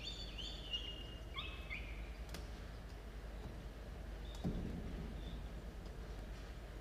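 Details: Falcon nestlings, two chicks of 17 and 13 days, at 06:02 on 27 October 2022; two short raspy, downslurred calls open the recording, followed by several seconds of low hum and faint clicks.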